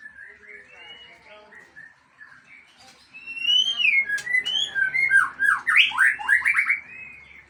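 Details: White-rumped shama of the Aceh type unloading its isian, its repertoire of learned song material: soft, low warbled phrases at first, then from midway a loud run of rich, varied whistles with fast rising and falling sweeps and trills.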